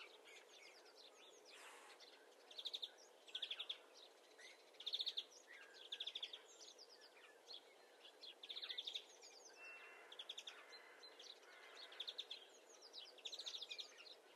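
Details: Greenfinch calling softly: short trilled chirp bursts repeated roughly every second, high and fairly thin, with faint twittering between them and a quiet hiss throughout.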